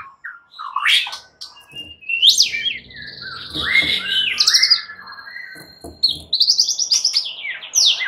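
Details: Nearly all of a group of fighter white-rumped shamas join in, answering one another in vigorous, agitated song: varied loud whistles, slurred rising and falling notes and rapid chattering trills overlapping densely, with brief buzzy phrases and short pauses.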